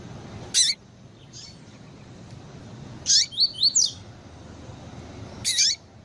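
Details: Female Double-collared seedeater calls, used by breeders to stir up a male: sharp, high descending chips about every two and a half seconds, with a quick run of three thin rising notes after the second chip, over faint low background hiss.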